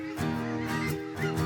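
Geese give loud, nasal honks, repeated in short bursts over a faint musical background.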